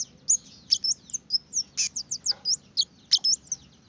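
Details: Red-headed finch song meant to prompt other birds to sing: lively sequence of sharp, high-pitched chips and slurred whistles, spaced roughly every quarter second, over faint low background hum.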